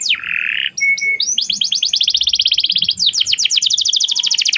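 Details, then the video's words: Lure song of a canary for teaching a young canary: a short buzzy note, a brief whistle, then a long, very fast rolling trill of high sweeping notes, changing pace near the end. "kenari gacor panjang Cuit Cuit EMOSI, Pancingan Kenari Paud Belajar Bunyi"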